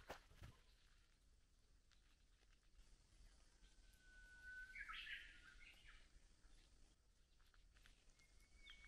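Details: Japanese bush warbler gives a long, steady whistled note, then a quick bright flourish, over soft background noise, in Gotjawal forest at Gyorae Natural Recreation Forest, Jeju, on a foggy mid-April day after light rain.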